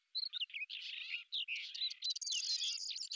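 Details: Lesser grey shrike, a hunting bird that hovers in place, giving a fast, varied chattering song of scratchy notes, short whistles and buzzy trills, continuous with brief gaps, high-pitched throughout.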